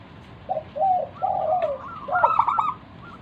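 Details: Lively local zebra dove cooing to draw other doves into song: a few soft separate low coos, a longer mellow phrase, then a quick bubbling run of higher notes.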